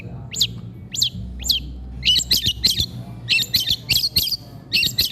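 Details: Long-tailed shrike keeps singing while eating: a few separate squeaky notes, then fast clusters of sharp chattering chips with quiet pauses between them.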